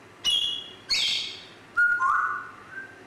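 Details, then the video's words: Grey parrot giving two high harmonic chirps followed by a lower whistle that steps down and then holds steady. "GRAY PARROT"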